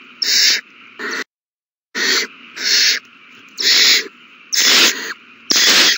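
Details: Owlets at a big meal on March 27, 2020: a run of harsh hissing screeches, about one per second, broken by a brief total silence, then resuming, growing louder toward the end.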